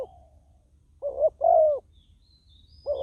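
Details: Spotted dove decoy used on the ground to attract wild doves, giving one clear two-note coo with a longer second croo, plus clipped fragments of neighbouring phrases at either end.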